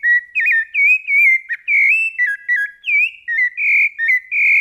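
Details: Fluted song, Brumado style, from a rufous-bellied thrush: a lively run of whistles, some warbled and broken, others smooth and rising, delivered almost without a break.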